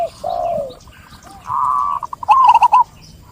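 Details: Perkutut, or zebra dove, singing: a drawn-out low coo, a brief sustained tone breaking into a few quick notes, then a fast rolling trill of four or five bubbly notes.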